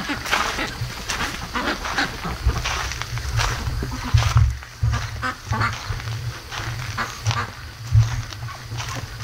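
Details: Domestic ducks being raised, on their 73rd day, awake at 3:00 AM; rough quacks burst out irregularly over a steady low electrical hum, with several birds calling at once.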